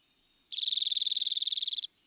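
A Dark-eyed Junco gives one dry, rapid, high-pitched chatter of about thirty even pulses lasting just over a second. The background is otherwise quiet.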